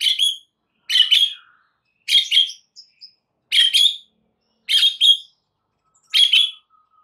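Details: White-rumped shama from a masteran recording meant to provoke singing: sharp, bright chirps given in short clustered bursts about every second and a quarter, with a faint thin whistle between them.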